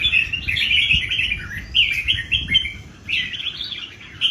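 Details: Singing duel among three old wild-caught red-whiskered bulbuls: continuous rich, rolling warbles with quick rising and falling slurs, loud and overlapping, over faint low hum.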